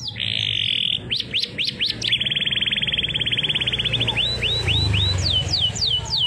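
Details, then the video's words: Canary singing the siren and bliut style: a steady buzzy note, a few swooping whistles, a long rapid even trill, then slower looping whistled sweeps rising high; low rumbling background noise. "Kenari gacor cengkok sirine bliut unik"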